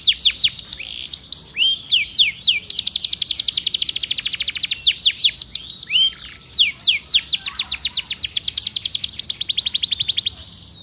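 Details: Canary song meant to get a silent canary singing: long, fast rolling trills of quick repeated notes broken by swooping whistled slurs, continuing for about ten seconds with little pause.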